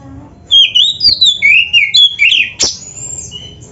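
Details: Kacer, the black-breasted oriental magpie-robin, sings a full-fill gacor training song for caged birds. A rapid run of loud, varied whistles sweeps downward and back up, then a sharp click and a thin, high sustained whistle follow.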